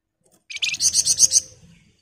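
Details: Sunda bush warbler performing the close 'ngebren' song: a single quick buzzy trill of around seven high pulses, under a second long, with quiet low background murmur.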